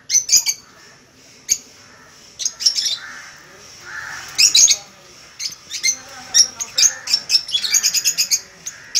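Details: A pair of 10-month-old sun conures calling: sharp, high screeches and chattering squawks in bursts.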